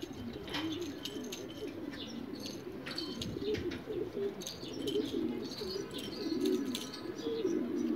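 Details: A flock of rare pigeons from Australia keeps up dense, overlapping low coos without pause. Light chirps, clicks and a brief flutter of wings sound over the cooing.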